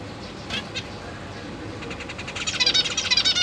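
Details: Captive zebra finch young in a large cage, with parents busy feeding newly hatched and juvenile babies. A couple of thin chirps come first, then a fast run of harsh, buzzy begging notes over steady background hiss.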